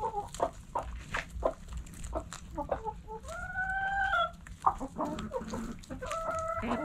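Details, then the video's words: Backyard chickens in a coop: quick clucks from hens, then a long level drawn-out crow-like call lasting over a second, more clucking and a second long call near the end. "Backyard Chickens In The Coop Relaxing Video Sounds Noises Hens Clucking Roosters Crowing!"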